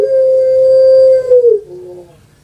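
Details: Tail of a long coo from a captive puter pelung dove, Java, Indonesia: a sustained, even tone that abruptly breaks and drops to a lower, fading note.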